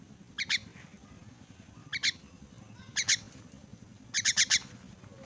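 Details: Crippled orphan myna being hand-fed, calling with scattered grating squawks, singly and in pairs, ending in a quick run of four rasping notes against faint low rumble.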